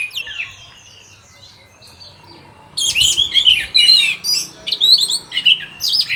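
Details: Red-whiskered bulbul (anis merah) training song: faint twittering at first, then from about three seconds loud bursts of high rapid chirps and twittered phrases repeated in short clusters.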